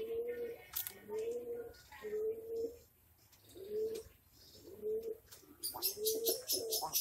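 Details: English Magpie pigeon, a fancy breed kept in Bhavnagar, Gujarat, India, giving soft low coos about once a second, each a short rising-then-level hum, with a short pause midway and faint rustling and higher chirps near the end.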